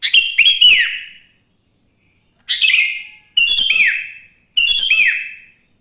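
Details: Morning song of a wild sooty-headed bulbul, played to stir other bulbuls to sing. Rich chattering phrases with downward-curving whistled endings repeat four times, the last three in close succession.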